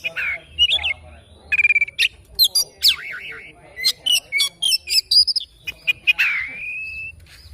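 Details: Oriental magpie-robin in morning song, delivering a fast, jumbled string of chirps, rattling bursts, wavering whistles and harsh notes, closing with a descending slurred squawk and a steady whistle.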